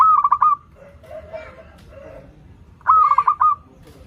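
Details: Local zebra dove singing, a song used as a lure for doves learning to sing: a quick stuttering run of cooing notes ending in a drawn-out coo, heard twice about three seconds apart, with a softer, lower call between.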